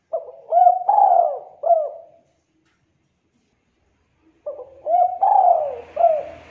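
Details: Thick, clear 'culhu kuk 2' cooing of a Spotted dove kept as a contest prospect: two phrases of four low, mellow coos, the third of each longest and drooping, separated by about two seconds of silence, with faint hiss at the end.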